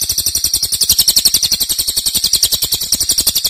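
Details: Cililin song, loud rapid bursts of long duration, used as a master recording: a high, dense trill of fast pulsed notes, steady and unbroken throughout, with a faint low thumping underneath.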